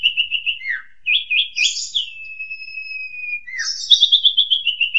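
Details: Training song of an Asian pied starling meant for juveniles, with short repeated whistled phrases, a long steady whistle holding one pitch, then a quick repeated warbling run.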